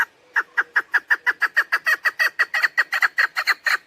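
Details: Chukar partridge hen call used as a hunting lure, an unbroken regular series of coarse clucking notes, roughly five per second.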